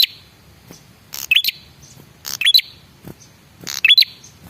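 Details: A male red-headed prinia giving its lure call to provoke other birds into answering: three spaced bursts of rasping chirps, each finishing with a bright upward-sliding whistle.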